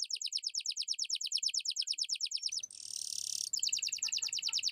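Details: Atlantic canary in lively song, used to prompt silent birds to sing and as a tutor: fast repeated rising notes around three per second, then a dense buzzy trill, then rapid rolling phrases resume.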